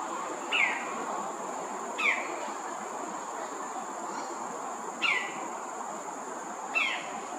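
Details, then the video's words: Greater racket-tailed drongo, a common resident bird at Thomson Nature Park, Singapore, calling from a perch: four short, clear descending notes spaced one to three seconds apart, over a steady high insect drone. "Singing Drongo"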